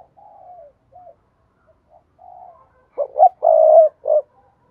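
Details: Spotted dove calling to stimulate other doves: gentle drawn-out coos at first, then a loud rhythmic phrase of a short note, a double note, a long sustained coo and a final clipped note.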